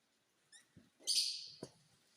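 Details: Rose-ringed parakeet of the purple lutino mutation giving one harsh, raspy screech lasting about half a second, preceded by faint clicks and a soft thump.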